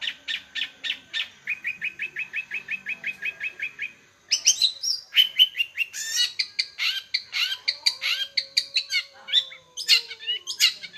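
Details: Lively long-tailed shrike song: a steady series of clipped, even notes gives way to a rich, rapid medley of varied high whistles, twitters and trills.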